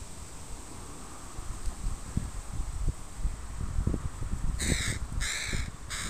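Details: Crows from a family with young birds in a park give three harsh, broad caws in quick succession near the end, preceded by low rustling and thumping ground noise.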